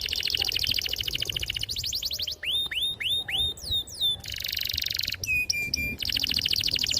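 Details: Singing canary with a sharp, clear rolling song meant to stimulate young or silent canaries: fast rattling trill, a series of looping upswept whistles, a smooth roll, then hooked notes and another rapid trill.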